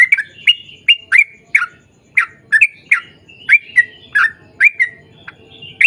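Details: Sooty-headed bulbul singing hard in the long rapid 'ropel panjang' style. Quick downslurred chips repeat roughly twice a second with brief gaps, over a soft low rumble.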